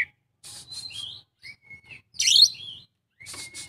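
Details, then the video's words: Brief stretch of Oriental magpie-robin isian song: a few thin whistles, a long level whistle, then a harsh rasping burst and another drawn-out whistle, spaced by silences. "kacer isian full"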